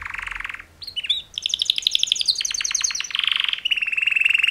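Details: Mating-call song of two male canaries, a sustained buzzy trill, then quick whistled slurs and a run of rapid clicking notes, closing with long steady high trills.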